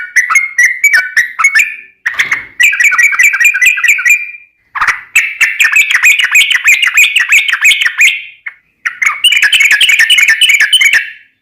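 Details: Yellow-vented bulbul singing energetically as a lure for other birds: long runs of fast chattering, warbling notes broken by short silences, each burst lasting about three seconds.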